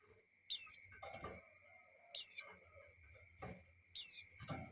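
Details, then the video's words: Female white-eye in breeding condition calling to a male; three high, thin, descending whistled notes, each about a quarter second, repeated roughly every one and a half seconds, with faint low knocking sounds after each. "Suara Pleci Betina Birahi Memanggil Jantan,Pleci Jantan Langsung Ngamuk"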